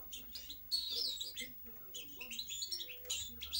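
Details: European goldfinch twittering song with quick, high tinkling notes and short trilled phrases strung together, accompanied by a soft low hum.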